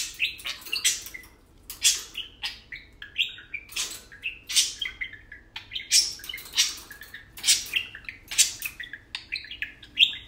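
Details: Two tame parakeets at play keep up steady chatter: sharp high clicks and crackly bursts, mixed with brief warbled whistles, repeating in quick irregular clusters for ten seconds.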